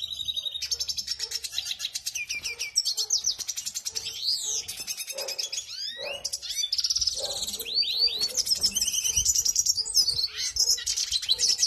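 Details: Excited red siskins (Venezuelan siskins) give a steady high twittering of rapid chirps, trills and short buzzy notes, with several birds apparently singing at once.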